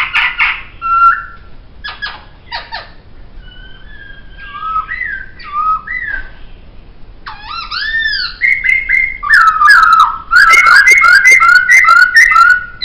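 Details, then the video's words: Poksay (laughingthrush) song recorded as a training master: rough buzzy notes at first, then clear whistled phrases that rise and fall, ending in loud, fast, repeated whistled notes with sharp high accents. "Masteran Suara Poksay"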